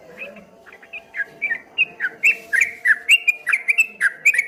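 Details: A streak-eared bulbul delivers ropel song in the ngombak banyu manner, with bending whistled notes that grow louder and faster toward the end. A faint low hum runs through the background.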